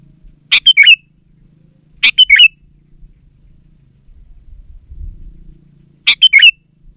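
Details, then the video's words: Chatty Sooty-headed bulbul song for luring wild bulbuls: three bubbly phrases of four rapid liquid notes, the first two about 1.5 seconds apart and the third after a four-second pause, with faint low hum between. "Suara Burung KUTILANG GACOR Untuk Pancingan Ajaran Pikat BURUNG KUTILANG Malas Bunyi di Kebon"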